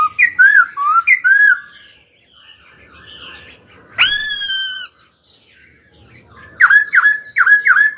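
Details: Pet laughingthrush pouring out varied whistled phrases, a strong rising, harmonic-rich note held about a second, then quick repeated sharp downslurred whistles, in a quiet indoor setting.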